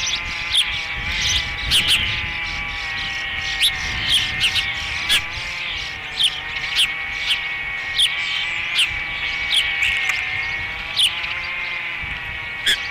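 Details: Osprey at its nest at Dunrovin Ranch during the third feeding on 30 May 2016: short high chirps repeated about once a second over a steady humming drone.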